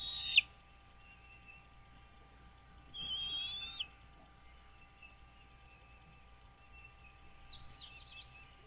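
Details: Wild American bald eagle at a lakeside nest on the 30,000-acre Dale Hollow reservoir, Kentucky-Tennessee border, nest camera, 09.04.2023, 08:29: two sharp high whistles three seconds apart, then faint distant chatter and a steady hum.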